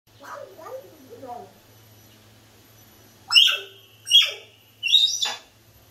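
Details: Pet sun conure giving three loud, harsh, piercing screeches about a second apart, after some soft low warbling chatter.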